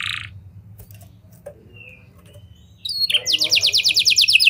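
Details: Canary, used as a singing lure for other canaries, starts with a short buzz and a faint whistle, then after near-quiet breaks into a loud, rapid, rising trill of buzzy notes in lovebird and prenjak cengkok style.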